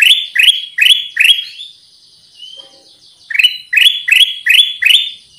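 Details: Black-crested bulbul lure song: four fast, bright upswept notes, a pause holding a faint thin whistle, then five more rising chirps delivered in a steady rhythm.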